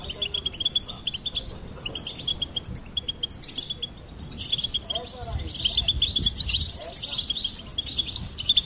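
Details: Singing goldfinch delivering fast, tinkling phrases of high chirps and thin trilled notes, then a fuller, buzzier jumble of twitters in the second half, over faint low rumble.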